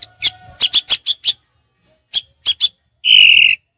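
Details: Orange-headed thrush singing ngeplong style: a rapid string of sharp clipped notes, a brief pause, three more notes, then one long harsh rasping note.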